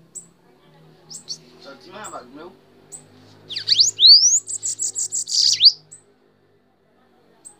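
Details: Bananaquit (sibite) held on the hand sings a short high song: downward-swept notes, a rising whistled slur, then a rapid series of buzzy high pulses; faint scattered ticks and soft low background sounds before it.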